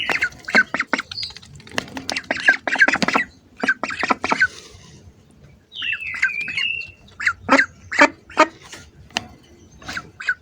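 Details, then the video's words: Hungry ducks up close give bursts of short, harsh squawking calls in quick clusters, with a brief gap and a drawn-out whistled sweep partway through. "hungry ducks making sounds"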